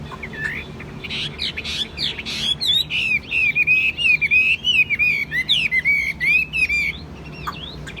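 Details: Caged Chinese hwamei, called a fine, calm singer, opening with scattered notes, then pouring out a long loud sequence of repeated looping whistles, several per second, against faint low background noise.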